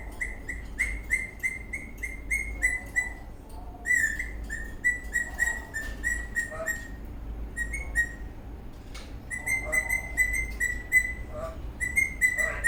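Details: Happy eastern rosella parrot dancing and whistling: runs of quick, clear, same-pitched whistle notes in bursts of several seconds, with short pauses and occasional sharper chirps between runs.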